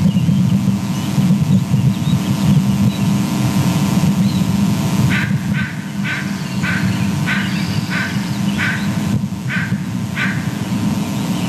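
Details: Bald eagles at their nest, heard on a live camera: after a stretch of steady low rumble, a rapid, uneven series of short harsh calls, mostly in quick pairs.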